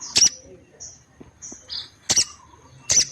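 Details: Calling female orange-headed thrush, whose calls make males respond and come into breeding condition; three sharp, high snapping notes spaced about a second apart, with faint thin whistles in the gaps.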